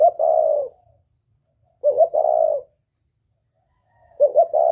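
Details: Spotted dove, northern-style call with a whistle-like voice, used to provoke wild doves: three clean low coo phrases about 1.8 seconds apart, each a short stuttered note run into a longer smooth hoot, silence between.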